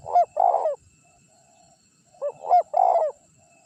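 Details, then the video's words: Spotted dove lure call for attracting wild birds. Two phrases of sharp upslurred lead notes followed by a rough drawn-out coo, separated by a soft faint murmur. "Suara Pikat Terkukur Gacor Juara 1 Untuk Pancingan Cepat Bunyi"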